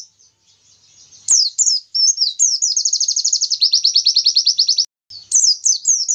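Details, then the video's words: Oriental white-eye singing a long 'tembakan Nobita' style song meant to provoke rivals: high sweet downslurred whistles, then a fast rattling trill of rapid repeated notes, resuming with bright slurred phrases after a brief pause. "pleci materi tembakan Nobita panjang bikin lawan langsung emosi"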